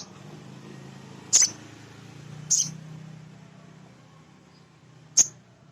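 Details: Male sunbird calling as a lure to provoke untrained birds: three thin, high chips at irregular intervals, set against a steady low droning hum and background hiss.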